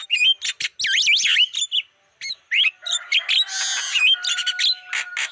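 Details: Black-winged starling calling on a lure recording meant to attract wild birds: looping, wavering whistles and harsh notes, a short pause, then a dense burst of rasping chatter mixed with steady tones and clipped squeaks.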